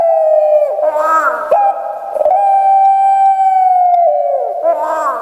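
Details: Big-bodied puter pelung Barbary dove kept in Java, Indonesia, with a shrill voice, utters rough rising notes, then a long steady coo held about two seconds, ending in a descending gurgle.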